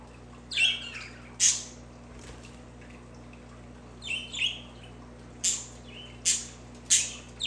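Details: Budgerigars singing, a recording meant for pet budgies: scattered sharp chirps and scratchy squawks, some paired, arriving irregularly about once a second over a quiet background.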